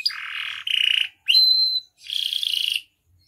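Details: Pet canary song fragment: a low buzzy roll, a brighter rattling trill, a short rising note into a thin whistle, then a final dense buzzy rattle, each phrase under a second with short gaps.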